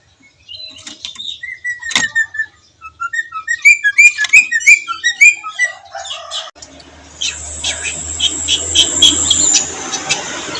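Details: Javan myna (jalak kebo) singing with rich fill material: a long whistled note, then a quick run of varied chirps and twitters, followed by a sustained high hiss with scattered clicks.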